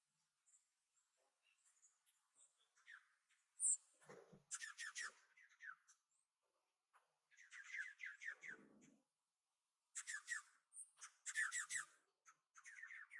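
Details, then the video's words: Juncos at a bird pond during a cold spell with light snow, in temperatures in the 20s and puffed up against the cold, give bursts of quick, zappy descending twitters every second or two, like laser blasts, with soft rustling between. "That’s the Juncos. They remind me of the laser guns in the old Asteroids arcade game."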